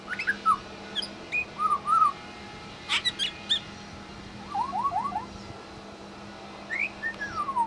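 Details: Pied butcherbird at a bird sanctuary mimicking other birds: a string of varied whistled phrases, short slurred notes, a rapid falling series and sharp high clicks, with pauses between, over a steady low hum.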